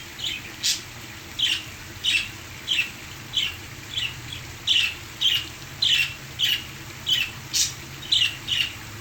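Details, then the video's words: Pet parakeets singing to the sound of a waterfall: short high chirps repeated about every half second, over a steady rushing water background. "My parakeets singing to the sounds of the waterfall"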